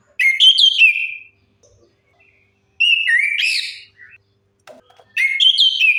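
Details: Orange-headed thrush song serving as a lure for birds that have stopped singing: three bright whistled phrases with looping slides, each about a second long, spaced by quiet gaps.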